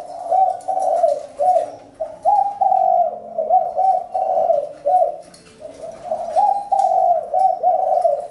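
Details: Spotted dove cooing: a steady run of soft, hollow, mid-pitched coo phrases, each a few linked notes, repeated back to back with short gaps throughout.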